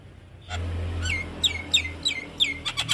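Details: Javan myna song for cage bird training: a string of about five down-slurred whistled notes, each roughly a third of a second apart, ending in harsher clicking, over a low hum.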